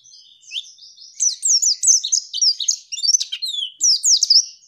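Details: A female white-eye twitters in quick, high, zigzagging chirps, starting soft and becoming louder and busier, used to provoke males into answering.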